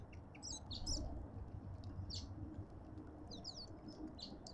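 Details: High, twittering chirps from cut-throat finches at a garden feeder in suburban Pretoria, South Africa, grouped in short clusters with brief pauses between, over a low hum.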